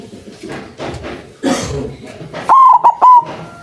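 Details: Loud-voiced white zebra dove calling as a trapping lure to make other doves answer: faint rustling and knocks, then one strong stuttered coo in three linked notes ending in a held tone.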